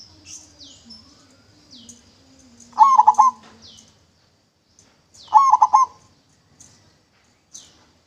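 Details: Local zebra dove with a clear voice, used as a lure, gives two bursts of rolling coos; frequent high, down-slurred chirps from other small birds and a low droning hum run throughout.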